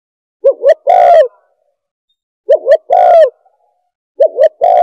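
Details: Spotted dove call played to lure doves: phrases of two short rising-falling coos and a long, buzzy, drawn-out croo, each phrase repeated about every two seconds against silence.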